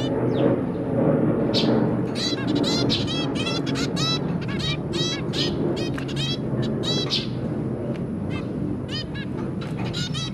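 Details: Dense chatter from a zebra finch pair and their three young, 23 January 2022. Rapid overlapping nasal beeps tumble out nearly twice per second, with a constant low rumble beneath.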